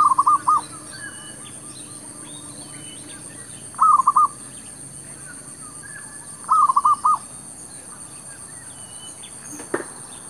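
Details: Zebra dove in a shop area, a decoy bird luring wild doves; three quick trilled coo bursts of several notes each, spaced a few seconds apart, faint high chirping of other birds and a sharp click near the end.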